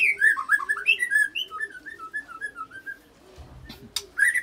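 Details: White-rumped shama song with cililin and canary-roll fills, used to make other shamas sing; loud warbled notes give way to a descending series of clear whistles, with low dove coos in the background.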